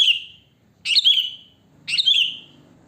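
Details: Sooty-headed bulbul's natural wild song, used as a lure; three bright phrases, each a sharp high note tumbling down into a fading trill, with faint low hum beneath.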